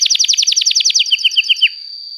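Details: Long-singing canary, a lure song for young canaries learning to sing: quick descending slurred notes that drop to a lower, slower series, then stop, leaving a faint thin whine.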